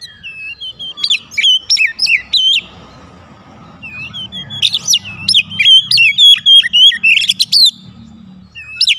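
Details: White-rumped shama song used as a lure to provoke other birds to respond: loud bursts of sharp, rapidly varied whistles and chirps with steep pitch jumps, in two long phrases separated by a quieter pause.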